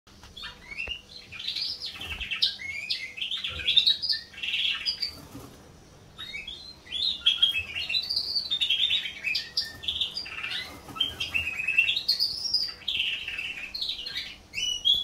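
A canary sings a long, rapid run of bright warbled phrases, high-pitched trills and rising-falling notes with brief pauses between bursts; faint room hum underneath.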